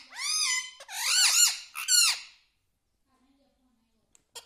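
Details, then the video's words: Caged pet talking parrot (tota) mimicking speech such as mitthu mitthu, with three quick harmonic word-like syllables that swoop up and down, followed by near silence and a faint tap. "Talking parrot || mitthu mitthu || tota || Bolne wala tota"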